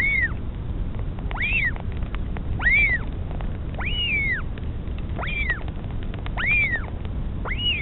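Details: Northern royal albatross mother feeding her chick at the nest in the Pukekura/Taiaroa Head colony near Dunedin, New Zealand; high arched squealing calls, each rising then falling, repeated about every 1.3 seconds over steady low wind rumble.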